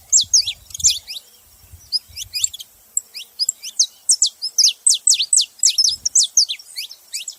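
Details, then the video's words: Saffron finch singing high chirps that accelerate into a long, even series of sharp downslurred notes, with occasional low thumps early on. "Canário da terra fazendo barulho"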